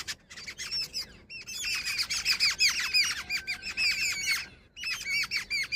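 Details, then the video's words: Jungle babblers, grey, possibly a female, chatter harshly: squeaky, rasping notes tumble over each other about three per second, broken by two brief pauses. "Jungle babbler sound effect | babbler bird Sound"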